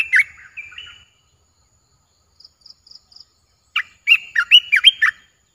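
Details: Caged streak-eared bulbul, newly kept, sings two short slurred whistled phrases. After a pause comes a faint run of four tiny high ticks. Then a bubbly, rapid warbling phrase of rising and falling bright notes. Quiet background.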